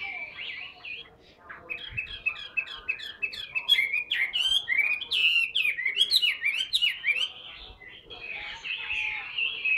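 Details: Large tame Chinese hwamei kept in a cage, singing energetically: rapid sequences of sharp, sliding whistles and warbles that swell and fade, continuing almost nonstop.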